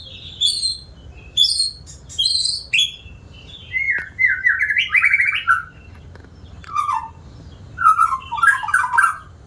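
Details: White-rumped shama singing often, a bird offered for sale: bursts of varied whistles and harsh, buzzy chatter, with high notes that drop into lower warbling phrases and pause between them.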